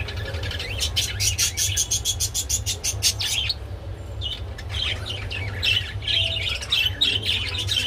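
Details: Budgerigars while mating: dense, rapid warbling chatter and sharp chirps, a short lull near the middle, with a steady low hum underneath.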